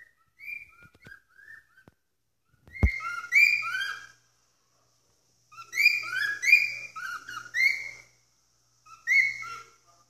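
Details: Caged pet cockatiel screeching at night: scattered bright whistled notes, then dense clusters of harsh harmonic squawks in three bursts, with one loud knock or bump partway through.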